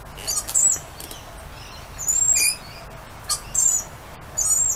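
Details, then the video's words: Lorikeets outdoors greeting their owner: shrill, squealing screeches in short bursts, a brief cry near half a second, a longer scratchy outburst around two seconds, then more squeals toward the end. "Lorikeets Saying Hi"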